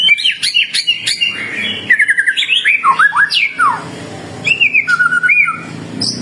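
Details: Lively white-rumped shama song, meant as a lure so other shamas sing back: sharp chirps, quick rattled runs, swooping slurs dropping in pitch, then pairs of clear whistled notes.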